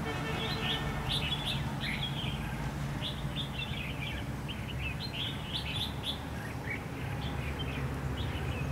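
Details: Decoy red-whiskered bulbuls singing vigorously at a trapping set, 23 October 2016: busy, overlapping warbled phrases of quick rising and falling notes, delivered almost without pause above a constant low droning background.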